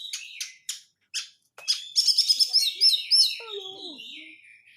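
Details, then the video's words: Oriental magpie-robin lure recording of tight crecetan chatter meant to rouse caged birds; separate sharp clicks give way to a fast run of bright chirps and whistles, then a descending lower slurred note. "pancingan kacer susah konslet dengan suara crecetan rapat"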